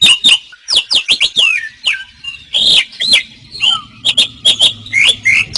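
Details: Asian pied starling song used to train other cage birds, a jumble of sharp chirps, short whistled slurs and harsh squawky notes with brief pauses, plus a low hum in the background.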